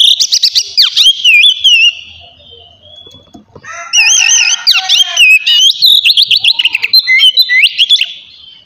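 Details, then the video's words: Oriental magpie-robin singing in the ngeplong style, used to encourage untrained magpie-robins to start singing. Dense strings of repeated whistled and trilled phrases are broken by a short lull near three seconds, then resume richer and more varied. "kacer ngeplong santai ampuh merangsang kacer bahan agar cepat bunyi"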